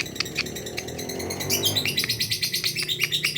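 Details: A lovebird answers another lovebird: scattered high chirps at first, then after a short pause a fast, loud burst of shrill, repeated chirping that continues to the end, with a low hum beneath.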